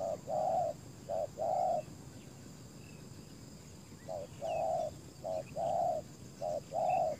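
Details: Decoy spotted dove luring wild doves, giving paired low hollow coos, a short note then a longer one, in repeated phrases separated by pauses, over a steady insect hum.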